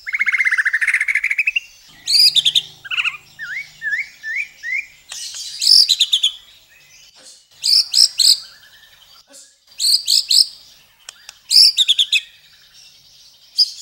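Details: Long-bursting white-rumped shama masteran song: a fast buzzy trill, a string of short upward-flicked whistles, then repeated loud clusters of high sharp notes separated by brief pauses.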